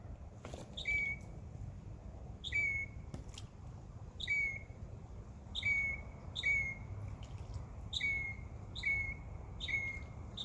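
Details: Backyard birds chirping in summer, giving short high chirps with a sharp onset, repeated roughly every second across the stretch, with steady low outdoor hum beneath.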